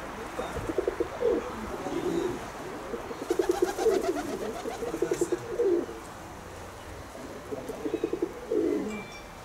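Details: Pigeons giving low, throbbing coos in pulsed bursts of several rapid beats, each phrase swelling and then stopping, repeated four times with short pauses between.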